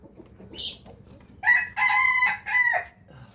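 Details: A rooster crows in the morning, a short rough note followed by a loud ringing cock-a-doodle-doo with a sustained, strained middle section and a falling end.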